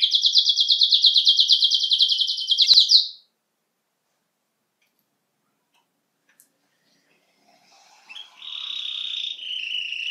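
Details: Domestic Belgian canary (Serinus canaria domestica) singing: a fast, high, rolling trill for about three seconds, then silence, then sustained high warbled notes.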